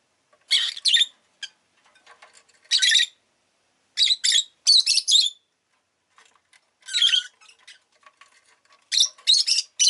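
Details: Rosy-faced lovebird kept as a pet gives irregular clusters of shrill, raspy chirps over ten seconds, with faint rustling and small ticks in between.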